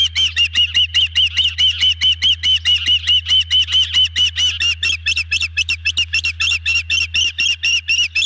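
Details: Ospreys at a nest during a big evening dinner delivery, 18 June 2020 around 19:29, one young bird well fed: rapid, insistent whistled chirps, slightly wavering, repeated more than twice a second throughout, with a steady low hum underneath.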